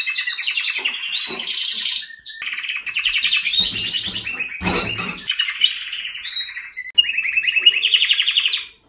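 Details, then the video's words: Canary song: long rapid trills in high tours, some buzzy, others fast chattering rolls, broken by short gaps and a few sharp clicks, held almost continuously. "Best Canary Singing '''Kanarienvogelgesang."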